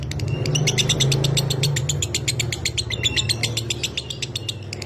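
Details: Lovebird 'minor kering' training recording: a quick series of high, dry chirps about four per second over a strong low humming background.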